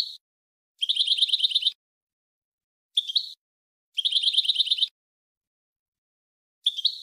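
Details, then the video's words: European goldfinch song recorded in 2020 to teach young birds: rapid buzzy trilled phrases of about a second each, repeated with pauses of one to two seconds, high and metallic. "Ecolage Chardonneret Melodieux // Goldfinch Song to teach young people // أغنية الحسون لتعليم الشباب"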